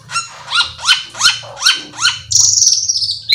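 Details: Cucak keling singing to draw other cucak keling into song: five evenly spaced, rising chirped notes, followed by a long, buzzy, slightly falling trill and a sharp closing note, over a faint low hum.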